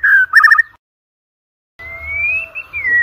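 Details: White-rumped shama singing, used to prompt competition birds: a quick warbled trill, a second of silence, then one long clear whistle that slowly rises and dips.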